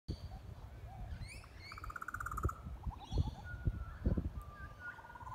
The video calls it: Butcher bird call